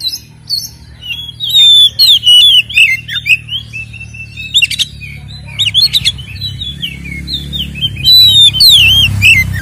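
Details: Oriental magpie-robin (kacer) singing a fighting-style ngeplong song full of fill-ins, played as a lure to anger other magpie-robins; rapid sequence of sharp whistles, harsh clicks and slurred notes in dense bursts.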